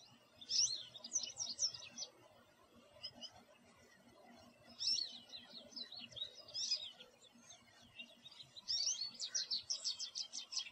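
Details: Backyard American goldfinch perched in a yard tree, chirping away: three separate bursts of high, tumbling, twittered notes with short quiet gaps between them.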